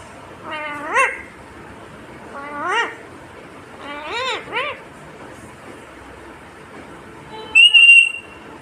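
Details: Indian ringneck parrot speaking in three short rising harmonic phrases spaced a couple of seconds apart, ending with a loud piercing high whistle near the close.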